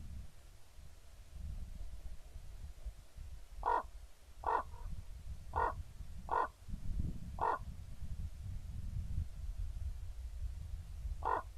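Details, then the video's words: Pair of common ravens recorded on 28 October 2016: six harsh, croaking caws, loosely spaced about a second apart with a longer gap before the last, over a low rumbling background. "kraukļu pāris"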